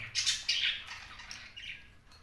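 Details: Cockatiel uttering a series of scratchy, high squawks, the first ones loudest, then weaker rasping notes trailing off over two seconds.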